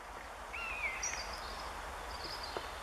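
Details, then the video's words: Common Buzzards in flight over a pine forest in Northern Germany, 10 April 2015; one short descending mewing note early on, with faint high chirps from small birds and a constant outdoor hiss. "Mäusebussarde - Common Buzzards with call"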